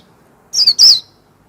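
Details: Warbling white-eye 'líu' song fragment: two quick, high, thin whistled notes, each slurring downward, the second longer and louder, with near silence around them.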